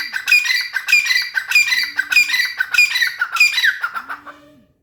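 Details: Grey francolin giving a loud, harsh call: grating, ringing notes repeated in a steady rhythm about every two-thirds of a second, six phrases before fading. A faint low, even tone sounds twice in the background.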